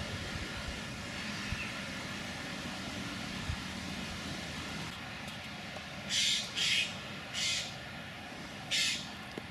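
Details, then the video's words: Young Eurasian jays at De Blaak, Tilburg, on 22 July 2016, giving four harsh, rasping screeches, close together then one after a pause, over a steady hum of distant traffic. "Geluid Vlaamse Gaai"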